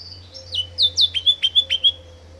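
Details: Mutated rosefinch, a colour mutation, singing a quick phrase of about ten sliding notes, each dropping in pitch, the later ones clipped and evenly spaced at roughly seven per second, over a faint low hum.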